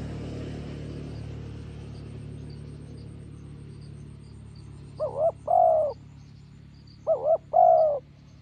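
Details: After a stretch of low noise, a spotted dove decoy meeting a wild bird by a roadside gives two cooing phrases. Each has two quick wavering notes and then a longer, steady, hollow coo.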